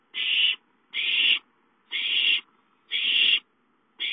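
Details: Owlets calling for food while playing at home, 5-9-13; rasping hissy screeches, each near half a second long, repeated roughly once a second in a steady series.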